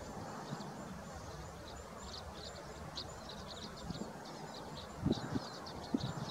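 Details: Common crossbills in the Forest of Dean, November 2017, on a dull day. Red males were seen feeding on larch seeds and giving flight contact calls. Many short, sharp, high chips overlap throughout, over a steady hiss, with a few low thumps near the end.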